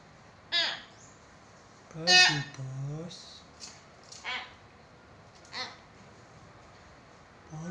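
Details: Talkative hill myna, used as a prompt to get quiet mynas calling, gives scattered harsh harmonic squawks and a longer, voice-like buzzy phrase with a falling tail, separated by pauses in a quiet indoor setting.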